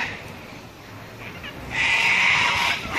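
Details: Sulphur-crested cockatoos at Robertson Park, St Lucia: one loud, harsh, grating screech lasting about a second, after fainter raspy notes in the background.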